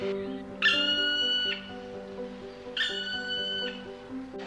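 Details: Black woodpecker in Baden-Baden city forest giving two long, drawn-out, plaintive perch calls (Sitzruf) about two seconds apart, each held nearly a second, over soft background music.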